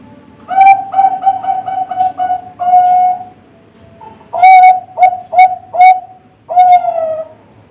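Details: Bangkok zebra dove song from contest-quality young birds: bursts of quick stuttered coos and longer held whistled notes, in several phrases separated by short pauses.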